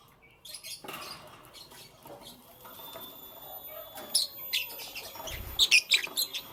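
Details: Lovebirds in the morning: scattered sharp, high chirps build after a quiet start, ending in a quick cluster of bright squeaky notes, with a low thud near the end and faint background hiss.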